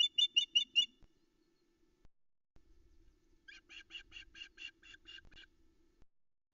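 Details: At dawn on 13 July 2020 on a nest-cam osprey nest at Loch Arkaig, a female keeps calling for fish after the male brings a trout: a loud burst of four shrill chirps, a pause, then a longer, softer string of rapid chirps.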